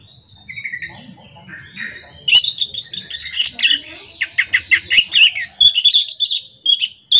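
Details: Orange-headed thrush (anis macan) singing in the morning; after a quiet start with faint chirps, a loud, continuous rolling stream of varied whistles, trills and chattering notes.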